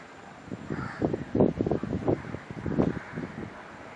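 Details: Great-billed heron at Sungei Buloh, Singapore: a deep, guttural series of rough croaking pulses, irregular and rasping, rising and falling over about three seconds, with a faint higher call early on and steady background hiss.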